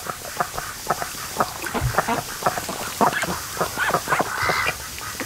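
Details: Flock of raised ducks lounging at a lake where a creek flows in, sleeping through a sunny afternoon; brief nasal quacks pile up quickly, some overlapping, with a faint higher call near the end.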